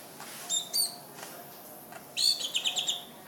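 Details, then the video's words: Greater green leafbird singing: a few brief, sharp high chirps early on, then a denser burst of quick, bright notes after two seconds, over faint steady hiss. "Cucak Ijo Nilam betty kicau"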